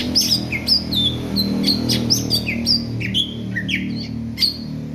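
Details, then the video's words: Greater green leafbird, readied for competition, singing a lively run of varied whistled notes, sliding up and down and following each other quickly, over a low background hum. "CUCAK IJO JAMTROK, BURUNG SIAP TEMPUR"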